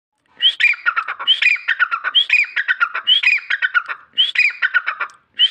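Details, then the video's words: A sand partridge gives a loud, rhythmic phrase about once a second: a high rising note, then a rapid run of harsh, falling chattering notes, with no other sounds. "Sand partridge voice | dhakni tetar ki boli | Sindhi tetar ki awaz"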